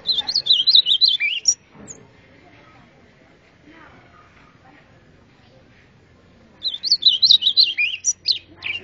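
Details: Golinha performing azulão-style song in two bursts of high, rapid, twittering whistles, separated by a quiet pause with faint background murmur.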